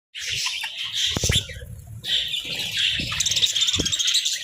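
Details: Several budgerigars sunbathing give dense, scratchy warbling chatter with quick chirps, punctuated by a few low thumps and flutters near the start and end.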